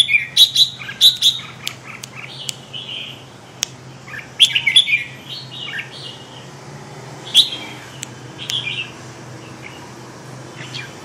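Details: Red-whiskered bulbul singing lively bursts of bright, chirpy whistled notes in clusters, loud phrases at the start and middle with quieter scattered notes between, over a faint steady hum.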